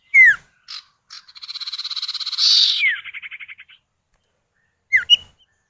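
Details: Sirtu or cipow, the common iora, male and female calls answering each other as a lure: a loud falling whistle, then a long buzzy pulsed trill that swells and fades with a downslurred note inside it, another short whistle after a pause.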